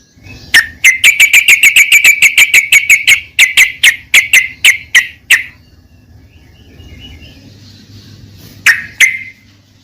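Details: Trucukan, the yellow-vented bulbul, in a lure recording to restart a silent bird: a long, fast run of some twenty sharp repeated notes that gradually slows and stops, followed by quiet and two final chips.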